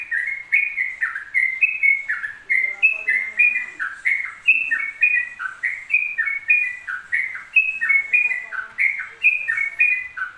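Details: Long unbroken run of yellow-vented bulbul song in the ropel style, bright whistled notes rising and dropping in quick succession, about three per second, while faint lower tones sound softly behind.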